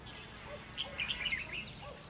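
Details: Red-whiskered bulbul recorded during trapping with a decoy bird, 22 October 2016: one brief burst of bright, warbled whistled notes in a quick jumble, over a soft, steady background hiss.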